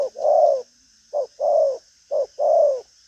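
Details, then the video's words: Spotted dove cooing energetically: three pairs of low hollow coos, each a brief note and then a longer, smooth, slightly descending one, spaced about a second apart. "Đồng pha chân cua cứng gù| Nết chơi lăng xăng, thúc gù có lèo"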